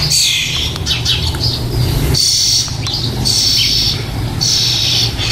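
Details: Young starlings in a nest box, soon to fledge, give harsh, raspy begging calls in four bursts, each nearly a second long, about once a second, over a steady low rumble of traffic or wind; recorded 4 May 2014.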